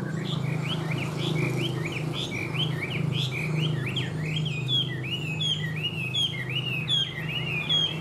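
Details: A captive Chinese hwamei sings a rapid, unbroken run of loud, varied whistled notes, rising and falling in quick slurs, over a steady low indoor hum.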